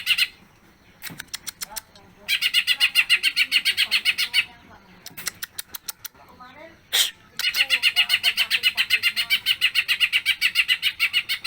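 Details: Greater green leafbird in lively, long-lasting song with fills: repeated bursts of fast buzzy chatter, interrupted by clicks, soft warbled notes and a loud chip, ending in a sustained rapid run.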